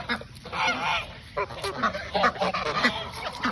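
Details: Several geese honk at their pre-bedtime snack, short nasal calls overlapping in quick succession.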